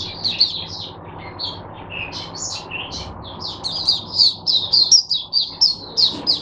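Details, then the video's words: Oriental white-eye kept as a song teacher for other white-eyes, recorded Sunday 22 January 2022: varied high twitters, some lower dipping notes, building into a fast pulsed series of bright chirps near the end. "teacher bird for my other mata putehs"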